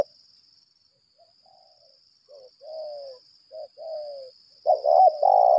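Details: Decoy spotted dove of the 'lambung kuk' type calling in 'berlaga' challenge style: soft, scattered low coos build into loud, husky, rolling coos near the end, over a steady high whine in the background.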